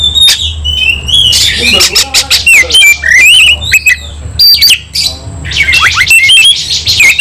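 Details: White-rumped shama in an emotional fight: harsh squawks and chattering bursts mixed with quick whistled twists and sharp clicks, loud and almost unbroken.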